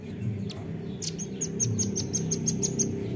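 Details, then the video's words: Nuthatch lure call: a fast string of sharp, high chipping notes starting after a second and running on, set against a strong low droning background. "PANCING BUNYI RAMBATAN"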